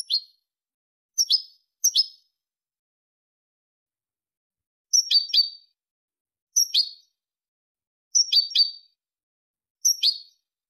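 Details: Malaga-style European goldfinch phrases used to teach goldfinch and hybrid chicks: sharp, high, clipped double notes repeated irregularly, about seven bursts over ten seconds, on a clean, quiet background.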